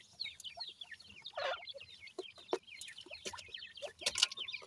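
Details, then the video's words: Francolin chicks beside their family call in a steady stream of high, falling peeps. Scattered sharp clicks and a brief rustle are heard midway. "baby teetar with family,pheasant baby voice"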